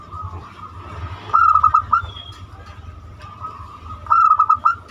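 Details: Zebra dove, banyumili type, lure song for prompting other birds: two brisk phrases of quick, bubbling coo notes about three seconds apart, with a steady background tone and low rumble.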